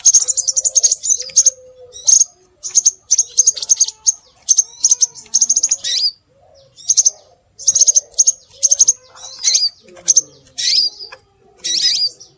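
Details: Bird-luring recording of a scarlet minivet: a steady stream of piercing, high chirps in dense trills and short series, mixed with rising whistled notes. A faint low droning hum sits in the background.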